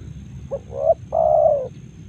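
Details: Single cooing phrase of a Spotted dove, Karawang: a brief soft note, a swelling upward-bent coo, then one long, even, mellow coo ending abruptly; quiet low rumble underneath.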